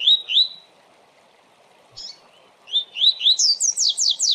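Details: Double-collared seedeater giving the Tui Tui Zel Zel Fibra song used to train young birds: two rising whistles, a pause with one brief note, then a series of upslurred whistles that speed into rapid high descending sweeps.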